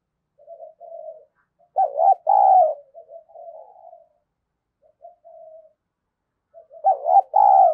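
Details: Decoy spotted dove provoking a fight, with softer low murmuring coos from a quieter bird between two full phrases of a wavering double note and drawn-out mellow coo.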